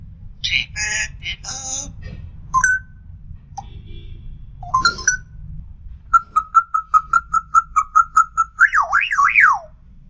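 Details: African grey parrot, a talking pet bird, producing speech-like syllables and whistles: a few short phrases, then a rapid even series of about a dozen clicking whistled notes and a swooping up-and-down whistle.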